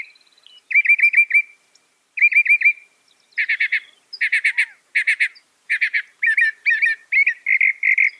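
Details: Northern mockingbird mimicking other birds: fast rattled trills repeated in short phrases, then rough chattering bursts and twangy notes, each phrase repeated several times with brief gaps.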